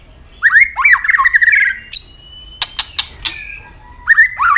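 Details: White-rumped shama in fighting song, tail snapping: a rich fast warbling phrase, a high whistle, a long level thin whistle cut by three sharp clicks, then warbling resumes.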